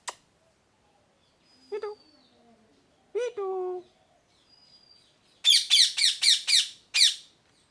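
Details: Parrot producing a few soft tonal chirps and a drawn-out note, then a rapid series of five sharp harsh squawks and one more after a pause.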